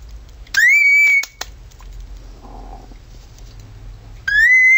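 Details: Male cockatiel kept as a pet giving a siren impersonation: two clear rising whistles that level off, with a few sharp clicks and a quiet stretch between.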